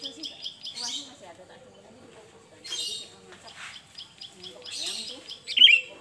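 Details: Sooty-headed bulbul in varied song for bird luring: runs of quick pulsed twitters and scratchy bursts, ending in one loud sharp chirp, over a quiet low hum.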